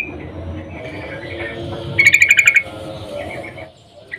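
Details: Female sooty-headed bulbul in breeding condition calling to a male: a brief, rapid chatter of about nine sharp, ringing notes packed into just over half a second, set against a low, steady background hum.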